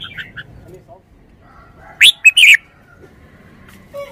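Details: A Red-whiskered bulbul, kept as a Thai cage bird, gives one short phrase of three quick, sharp, rising-and-falling whistled notes, with near silence around it and faint chirps at the start.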